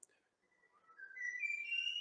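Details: A young blackbird in its first spring, still learning its song, tries a simple, clumsy phrase: fluty whistled notes that climb upward in steps and swell louder, without the rich flourish of an adult's song.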